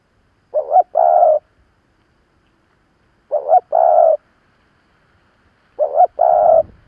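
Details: Spotted dove, a practised decoy calling to provoke wild birds: three identical phrases about 2.5 seconds apart, each a wavering short note then a held low coo. A faint rumble follows the last phrase.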